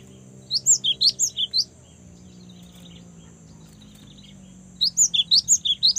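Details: Young cinereous tit singing actively: two quick bursts of about eight sharp, high, chirping notes, alternating up-slurred and down-slurred, with a pause of about three seconds between bursts. A steady high hiss runs underneath.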